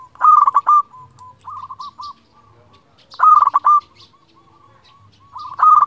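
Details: A vocal local zebra dove, played to call rivals and stir breeding mood, sings three loud, stuttering, bubbly coo phrases. Softer trailing purrs fall between them.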